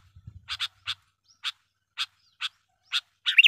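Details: Sooty-headed bulbul calls used as a lure for wild bulbuls and to tutor young birds: short bubbly notes repeated about every half second, eight in a row, ending in a louder warbled phrase; faint low thumps at the start.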